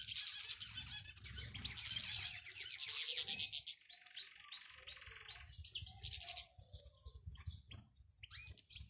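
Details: European goldfinch male and female calls meant to encourage a male to sing: loud bright twittering bursts, then a run of four clear whistled notes, followed by scattered sharp chirps over faint low rumble.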